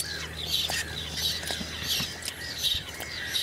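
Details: Whiskered terns in Toledo, Spain, in June 2022, giving grating, scratchy calls in quick succession, several birds at once, over a faint low hum.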